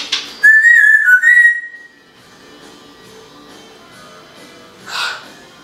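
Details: Female timneh African grey parrot kept indoors, improvising whistles while mimicking house noises; one wavering tonal whistle lasting about a second and a half, slightly warbling and then dipping, followed by a quiet room and a short soft rustle.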